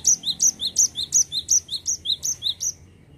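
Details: Rolling 'ngerol' song of a Cinereous tit. A steady run of about twelve high, sharp two-note phrases, evenly spaced and repeated nearly three times a second, stops abruptly.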